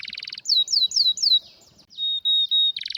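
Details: Canary with a rare, strong song. A buzzy trill gives way to four downward-curving whistled slurs, then a thin, steady pure whistle in broken pieces, before the buzzy trill returns.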